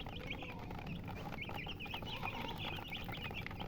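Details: Chickens chirping: a steady stream of short, high, overlapping peeps from several birds, quick and uneven, over a low rumbling background noise.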